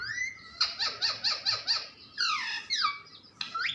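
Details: Pet parrot squeaks and chatters indoors: a rising whistle-like note, a rapid series of about six squeaky pulses, then descending harmonic squawks.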